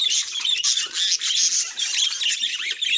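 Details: Budgerigar warbling, described as a sign of its emotions: loud, close, rapid chattering with squeaky whistled notes and buzzy trills pouring out without a break.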